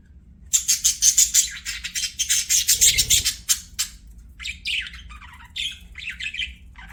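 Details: Singing budgerigars at play give a rapid, pulsing run of harsh, buzzy chatter notes, several per second, easing into looser warbled and squeaky phrases.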